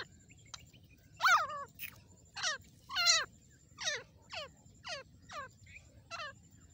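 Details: Female grey francolin calling nonstop: a series of loud, harsh, downward-sweeping notes about every half second to one second, over a low background hum.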